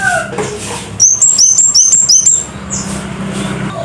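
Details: Scarlet-headed flowerpecker, known locally as kemade kepala merah or cit kersen, singing loudly: a quick run of about six sharp, very high, thin ticking notes in a little over a second, preceded by softer lower whistles and faint background hum.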